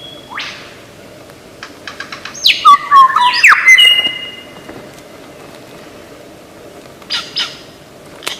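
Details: Lyrebird, known as a great mimic, starts with a soft rising whistle. A brief loud burst of mixed sharp chirps, downward-sliding whistles and a long steady whistled tone follows, then quiet background with scattered faint notes.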